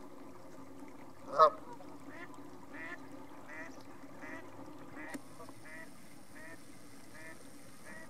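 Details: Geese at North Third reservoir near Stirling: a single loud honk, then a run of faint, evenly repeated distant calls over a steady low hum.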